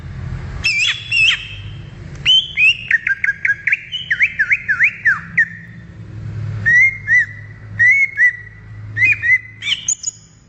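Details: In the wild, a greater green leafbird sings a fast run of looping, wavering whistles, then slower, evenly spaced whistled notes that rise at the end; low traffic-like rumble underneath.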